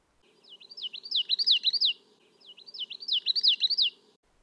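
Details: Common Yellowthroat singing in spring in a central or eastern US backyard: two rolling 'witchety-witchety-witchety' phrases, each about a second and a half long, with a faint low hum in the background.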